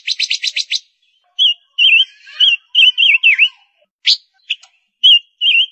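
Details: Female ngũ sắc lure bird begins with a fast buzzy trill, then sings a chain of wavering, dipping whistles and a few abrupt chirps.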